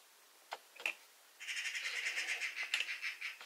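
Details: Eurasian magpie giving a harsh, rapid rattling chatter of dry repeated notes, about three per second, from the middle of the recording to the end, after a few isolated clicks.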